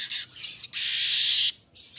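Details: A golden-headed weaver sings a high, sizzling chatter with quick squeaky notes, then a long buzzy wheeze for almost a second before a brief pause and more buzzing.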